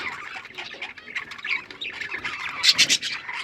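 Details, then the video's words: Pet budgerigars, Australian parrots, chattering together: a continuous scratchy warble of mid-high notes that builds into a louder burst of harsh chirps near the end. "Birds chirping sounds Beautiful Australian parrots"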